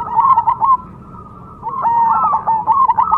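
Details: Perkutut Cemani, a zebra dove kept for song contests, giving a burst of staccato coos, a brief quiet pause, then another rippling run of notes.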